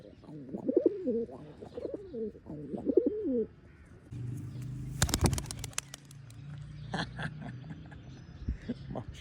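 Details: A pigeon gives several low, throaty, rolling coos for about three seconds, followed by handling noises, sharp clicks and a man's voice softly calling it to come.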